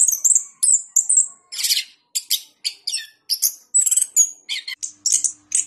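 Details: A caged orange-headed thrush, once a president's cup winner in Jogja, sings 'gacor ngeplong' with bright high whistles, buzzy rasping bursts and short chirps, separated by tiny gaps; a faint steady tone runs low underneath.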